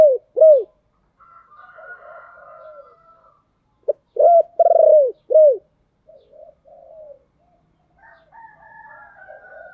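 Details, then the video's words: Caged decoy spotted dove cooing to draw in wild doves. Loud, low, hollow coos come in short groups, with a longer drawn coo in the middle and softer, higher murmuring between the groups. "Chim Cu Mồi/ tieng cu gay kich boi nhanh noi"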